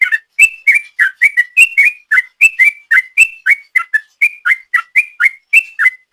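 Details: Sooty-headed bulbul delivering ropel song as a lure: quick, evenly spaced whistled notes, alternately rising and dropping, repeated about three to four times a second without a break.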